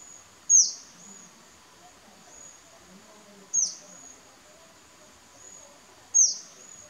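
Crimson-backed sunbird giving three sharp, very high, down-slurred notes about three seconds apart, over a steady thin high insect whine.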